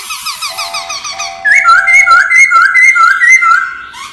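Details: Laughingthrush singing in wild forest style for voice training: quick chattering notes give way to loud, looping whistled phrases that rise and dip repeatedly.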